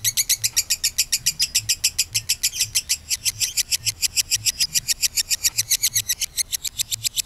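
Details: Kabayan lovebird lure sound, the long 'ngekek': a continuous high, rattling series of quick sharp notes repeated at an even, rapid pace throughout, with faint low background hum.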